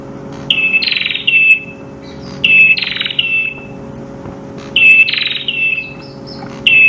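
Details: Prenjak kepala merah singing in the 'kristal' style for master training: about four bursts, each a pure high whistled note joined to a coarse buzzy sweep, repeated every two seconds or so against a constant low electrical hum.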